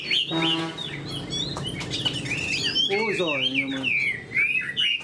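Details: Chinese hwamei kept in a cage as a spread-tailed fighting bird, giving rich looping whistled notes and twisting slurs, with a brief harmonic human-like voice mixed in near the start and middle.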